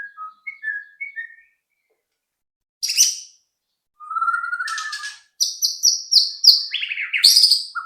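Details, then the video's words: White-rumped shama song played to provoke other birds into singing: soft short whistles, a harsh buzzy note, a warbled phrase, then a rapid series of loud buzzy trilled notes. "pancingan AMPUH murai batu agar cepat bunyi"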